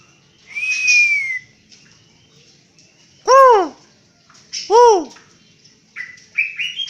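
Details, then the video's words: White-rumped shama from Banten with strange sounds: a long slurred whistle falling slightly, then two loud arched, rich harmonic notes, then short rising whistled phrases, over faint low background noise. "MURAI BANTEN GILA NEMBAK NEMBAK SUARA ANEH"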